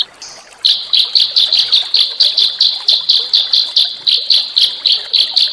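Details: Small songbird song used to stimulate white-rumped shama: a steady series of sharp high chirps, about four per second, each with a bright upper overtone, over faint background noise.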